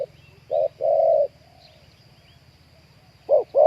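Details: Low hollow coos from a spotted dove kept for luring wild doves into a trap: a short then a longer note, a pause, then two more rounded coos at the end.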